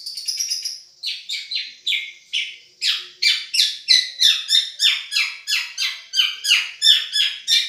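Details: Long-tailed shrike of the Madura type singing for song tutoring: a quick fluttering opening, then a steady series of harsh, downward-sweeping rasping notes about three per second, in a small room.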